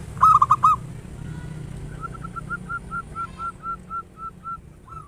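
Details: A local, actively singing zebra dove gives one loud burst of quick staccato coos, then a long series of softer, level notes repeated a little over twice per second over a low background hum.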